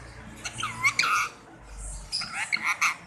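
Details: Rose-ringed parakeet learning to talk in Urdu/Hindi: two bursts of nasal, speech-like chattering with gliding tones, separated by a short pause, over a low background hum.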